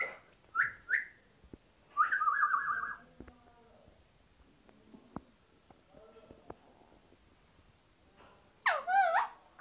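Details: A hand-tame talking Alexandrine parakeet, one of a male and female pair, gives short clear whistles and a longer warbled, speech-like phrase, then a loud harsh squawk, with faint clicks and soft murmurs in between.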